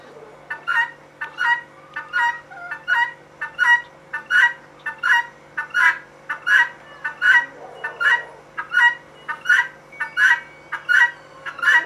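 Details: A female guineafowl calls persistently, a regular chain of rough, squawking two-syllable notes around eighty a minute, loud and even, with a faint hum and a brief soft noise midway.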